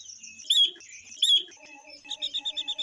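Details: Female Chinese hwamei, kept to stimulate males, gives two loud, clear whistled notes, then a steady string of softer short chirps above a quiet low pulsing background.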